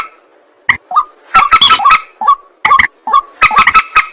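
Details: Sparse nocturnal calls of the white-breasted waterhen (mandar batu, ruak-ruak): a lone croak, then short clusters of harsh, grunting notes separated by quiet gaps.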